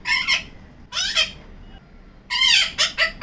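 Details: Female pet Yellow-collared Macaw hiding inside a cabinet and making weird sounds: three bursts of harsh, raspy squawks, each cluster made of two or three rough notes, separated by short quiet gaps.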